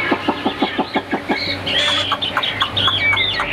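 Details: Caged Chinese hwamei with white wings and tail gives a string of evenly repeated short notes, then a few bright rising and falling whistles from its high perch.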